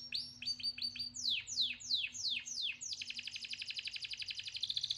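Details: Singing canary: several quick high chips, then a series of loud downward-swooping whistles, each about a third of a second apart, running into a rapid buzzy rolling trill, over a faint low hum.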